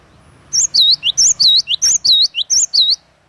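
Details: Cinereous tit (glatik watu) singing vigorously: a tight string of about eight loud, high whistled phrases, each pairing a quick upward flick with a deep U-shaped swoop, delivered evenly roughly three times a second, with faint low hum underneath.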